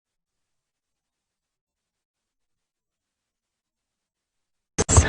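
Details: Near silence for almost five seconds, then a short burst of human speech at the very end, with no animal sound.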